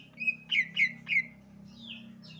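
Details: Javan leafbird giving three loud, slurred descending whistles in quick succession, then softer downslurred notes, with a steady low hum behind.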